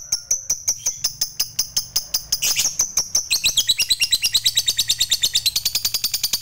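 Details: Fighter lovebird in long ngekek chattering, a song used to provoke other lovebirds into singing. Sharp high notes repeat steadily, then speed into a dense, buzzy, continuous rattle for the last three seconds.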